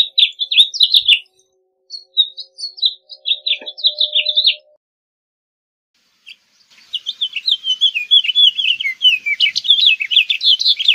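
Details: House Finch singing two bursts of rapid, jumbled, warbled notes, the first clear and close for about four seconds, the second after a short pause, fainter and more scratchy, running to the end.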